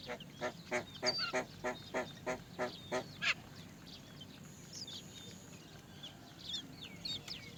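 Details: Great myna chicks waiting for their mother to feed them while she struggles to find food; a run of harsh, rasping bursts about three per second, then thin high chirps over low background rumble.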